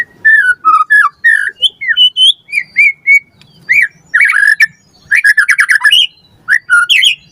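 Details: Training recording of white-rumped shama song for caged birds: mellow looping whistles and short slurred notes, with a brief stretch of fast, dense chattering twitters near the end.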